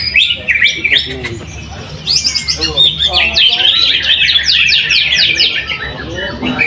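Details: Contest greater green leafbird, caged, at a weekly practice meet in Trowulan, Mojokerto, not yet in full condition; short chirps build into a dense run of rapid repeated downslurred notes, about two per second.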